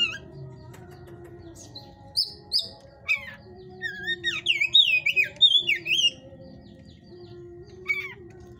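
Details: Captive white-rumped shama of the hot type, kept in a breeder's cage, singing bursts of rich whistled notes with looping, wavering phrases and a few harsh chattering notes, pausing between outbursts; steady low background hum.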